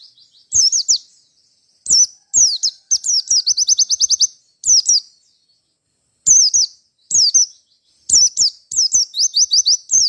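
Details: Merapi White-eye in fierce fighter form, singing to call out a rival: loud high-pitched chirps and fast rattling trills of repeated notes, delivered in bursts over about ten seconds with short gaps.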